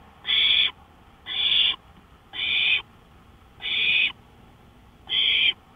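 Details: Owl heard from a porch at 1:53 AM, May 5, 2013, giving five loud, breathy screeching hisses, each near half a second, evenly spaced about a second apart with near silence between.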